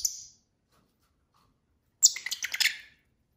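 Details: Pet lovebirds at dinner. A brief high chirp is followed by two seconds of quiet, then a quick cluster of harsh, high-pitched chattering notes lasting about one second. The setting is quiet and indoors.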